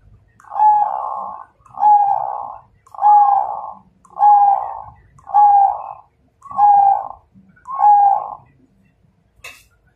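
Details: Zebra dove of the Majapahit strain singing a challenge to fight: seven evenly spaced, mellow cooing phrases, each a quick stuttered run of notes ending in a drawn-out coo, repeated about every 1.2 seconds against a quiet background.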